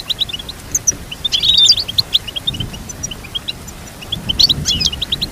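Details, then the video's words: Goldfinch song for teaching a goldfinch to sing: steady rapid chirping with a louder twittering flourish around the middle and another near the end. "Teach your goldfinch to sing beautiful motivational songs"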